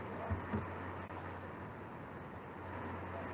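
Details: Low hum of traffic and rushing background noise with a few soft thumps near the start; no animal calls heard.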